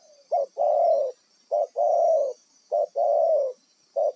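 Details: Wild-caught spotted dove used to lure birds for trapping, delivering soft low coos in pairs, a clipped note then a longer even one, repeated roughly every 1.2 seconds; faint high-pitched background hiss throughout.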